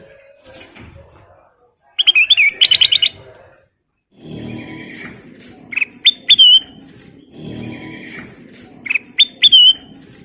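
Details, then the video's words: Kutilang emas in lively full-repertoire song, delivering a fast bright chattering burst, then clear rising-and-falling whistled phrases repeated about every three seconds, with soft low rumbling background noise between phrases. "Burung kutilang emas Gacor full isian"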